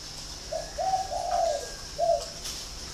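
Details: Spotted dove from a dove-keeping farm in Ba Vì, Hanoi, Vietnam, giving a cooing phrase: a short low coo, then a longer run of mellow, slightly wavering coos, a pause, and one final emphatic coo; steady high hiss behind.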